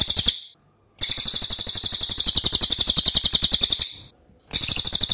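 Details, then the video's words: Racket-tailed treepie singing loudly as a tutor for other songbirds: a brief burst, then a three-second run of rapid, harsh, high notes, a pause, and the rattling chatter starts again. "MASTERAN CILILIN OKE BANGET"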